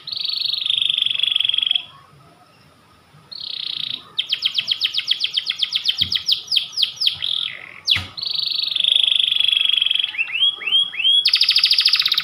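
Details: A white panda canary sings at length and persistently: held buzzy trills, a long run of rapid down-slurred chips, smooth whistles and rising slurs, finishing with a dense high trill. Two brief clicks sound in the background.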